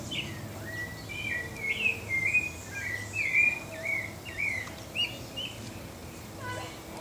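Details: Turdus leucomelas, the pale-breasted thrush of Brazil, sings a flowing phrase of whistled slurs and warbled notes for several seconds, then falls quiet; soft ambient noise continues underneath.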